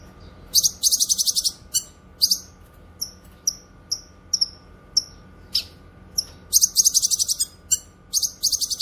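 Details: Cucak kinoy song for tutoring songbirds and luring wild ones: long grating buzzy rattles at the start and end, framing a middle run of high, evenly repeated downward-sliding chips.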